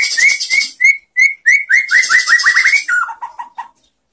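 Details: White-rumped shama song played in Indonesia to train other shamas: loud clear whistled notes rising sharply, repeated in fast succession, then a run of lower falling whistles fading into silence.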